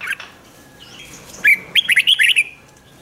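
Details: Red-whiskered bulbul singing in the rik style, played to excite caged birds: one quick phrase of about six bright, warbled notes between mid and high pitch lasting about a second, with faint thin whistles before it.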